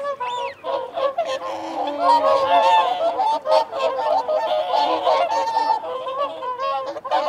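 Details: Whooper swans giving feeding and territorial calls, with wigeon and mute swans also present: a dense chorus of overlapping honking, trumpet-like calls that rise and fall, interrupted by short higher squeaky notes.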